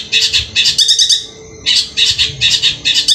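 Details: Long-tailed shrike, Madura type, delivering harsh scratchy bessetan-style notes in rapid clusters, a brief pause near the middle before the rasping bursts resume, with a soft low drone behind.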